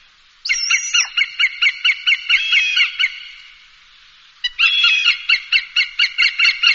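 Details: Bird-dispersal recording of a hawk: two bursts of quick, evenly spaced, harsh high notes, each opening with a longer slurred scream, separated by a pause of over a second.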